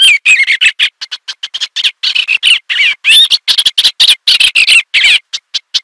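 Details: Eastern olivaceous warbler in a brisk, scratchy, warbling song of short notes and twisting squeaky phrases, delivered in fast, irregular bursts.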